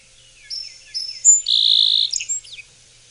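A Song Sparrow sings a quick, varied phrase: bright introductory notes, a sharp higher note, a buzzy trill, then a jumble of clicking chips and slurred tones.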